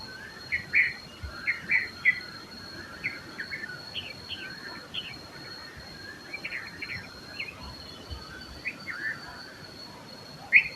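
Red-vented bulbul giving short, bubbly, cheerful whistled phrases in quick irregular bursts, with a steady high insect whine and other faint chirps behind.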